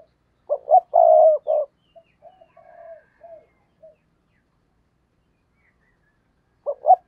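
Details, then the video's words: Decoy spotted dove cooing to lure wild doves: two short clipped coos, then a long loud rolling coo and a brief final note, followed by soft faint trailing notes. After a quiet pause, the phrase starts again near the end. "Tiếng Chim Cu Mồi Thúc Gù/ chim cu gáy kích bổi/ mở là gáy"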